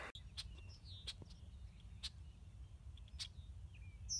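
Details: Red-winged blackbirds following a hiker along the Norwalk section of Ohio's Buckeye Trail call: sharp, dry chips about once a second with a few thin downslurred whistles, over a low rumble of wind.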